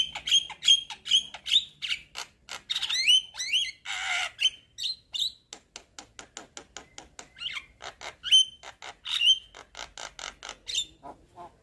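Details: Lure chatter from a white-eyed Javan myna, nodding as it sings, meant to prompt a stalled myna; quick clicking notes, a long harsh rasp, and repeated upslurred whistles tumble together without break.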